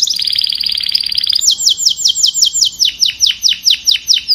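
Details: Singing canary calling its flock, opening with a very fast, bright trill that gives way to a slower run of sharp, downward-sweeping notes, roughly three per second.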